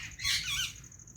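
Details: White ringneck parrot giving a single short, harsh, scratchy squawk lasting about half a second, over a steady high-pitched electrical whine and low background rumble.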